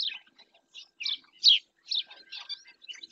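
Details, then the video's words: From Doñana National Park in Spain, a black-winged stilt gives a few separate, strident yelps, one very loud near the middle, with softer notes and a faint thin tone after it. "Cigüeñuela en el P.N. de Doñana"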